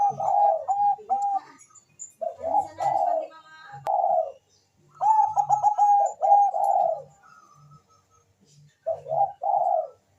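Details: Bangkok-type zebra dove calling very fast and answered by a rival: quick stuttered mid-pitched notes run into rolling, purring coos, in bursts separated by short silences, with a faint low hum beneath.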